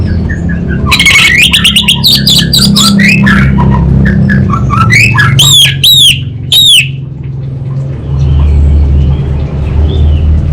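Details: Loud, varied song of an orange-headed thrush (anis bata) in 'kabel konslet' style: tumbling whistles and slurs, then a series of loud down-curving whistles before quieter notes, with a steady low hum behind.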